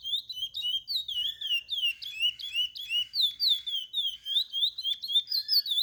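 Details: High whistled chestnut-bellied seed finch song played to teach young birds, delivered as quick slurred notes at about four per second, each swooping up or down, over an otherwise quiet background.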